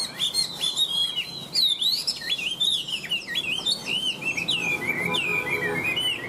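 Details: Nonstop song of a Vietnamese Chinese hwamei: a dense, rapidly changing stream of clear whistles, upslurs and downslurs, with barely a break from start to finish.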